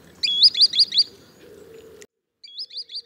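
A green sandpiper gives a quick run of four clear, high, upslurred whistles, then three more after a brief pause, over a low background rumble.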